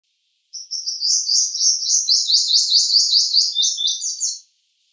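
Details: Purple sunbird singing a high, rapid series of about fourteen bright, down-slurred notes, delivered evenly over nearly four seconds with a slight quickening near the end; no other sounds.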